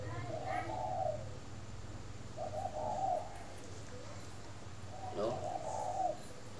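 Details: In the morning at a bird farm in Ba Vì, Hanoi, northern Vietnam, a spotted dove gives three separate mellow, low coo phrases about two seconds apart, each slightly rising then falling, against a low background hum.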